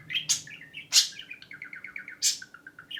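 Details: Pet budgerigar mimicking a phone ringing: sharp high chirps, then a rapid run of evenly spaced warbling pulses like an electronic ring tone, broken by one loud chirp, in a quiet room.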